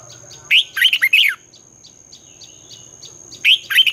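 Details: Twisting-voice morning song of a red-whiskered bulbul, used for training newly caught birds. One full phrase of a rising slur and four quick looping notes, faint twitters, then a second phrase beginning, over a thin steady high tone.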